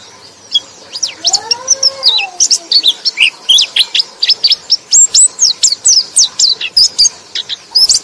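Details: Chirping white-eye song meant to lure and spur sluggish white-eyes: rapid high-pitched twitters and sharp slurred notes in quick succession, with a softer, lower arched whistle heard briefly near the start.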